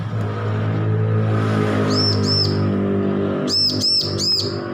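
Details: Bar-winged prinia fledgling, just weaned, practising song: two softer arched notes, then three louder ringing ones in rapid succession, heard over a persistent low droning hum.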